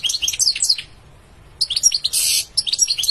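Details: A European goldfinch sings bright, jingling twittered phrases, breaks off for about half a second, then resumes with a brief harsh buzz among the chirps.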